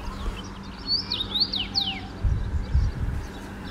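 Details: Common Rosefinch (Carpodacus erythrinus), a finch singing from a treetop in a garden in hot weather, a rare find in Central Europe: a short phrase of four or five clear, slurred whistles, some rising and some falling, over a steady low rumble of traffic.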